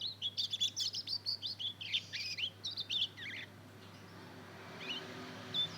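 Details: Two-month-old mozken, a hybrid of Mozambique canary and canary, just beginning to twitter (ngeriwik) while learning to sing: a quick run of high chirps and short warbled notes for about three seconds, then near quiet with a few faint notes.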